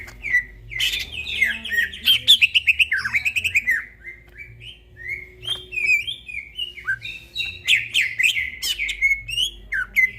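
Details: Greater green leafbird singing vigorously in the dead of night: a rich, varied outpouring of buzzy trills, rapid chirp series and clear slurred whistles, loud and nearly continuous, with a faint low hum beneath.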